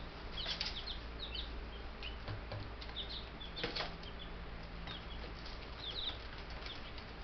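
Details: A brood of ten Buff Brahma chicks, only days old on a homestead, chirping with clustered high downslurred peeps, a few soft thumps and a steady low droning hum.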